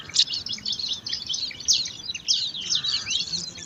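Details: Five bar-winged prinia nestlings jostle for food in an alang-alang grass nest, producing rapid, piercing high squeaks and chirps that overlap almost without pause, with one brief lower note near the end.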